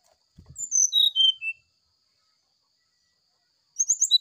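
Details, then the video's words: Brown-chested jungle flycatcher singing a morning 'sulingan' flute-style song, used as a training recording for cage birds: a series of high, thin whistled notes stepping downward in pitch over about one second, then a brief burst of high notes after a pause. "Suara sulingan srdc di pagi hari"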